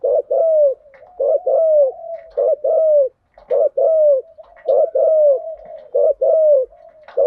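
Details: Spotted dove coos played as a lure to rouse decoy birds, male and female, in thúc gù and gáy gọi styles: steady series of short-then-long coo pairs, the long note arching downward, with soft cooing between.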